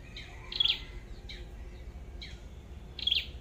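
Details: Red-headed flowerpecker calling during bird trapping with a decoy: short high-pitched ticking chips, a doubled burst at the start and another near the end, softer notes between.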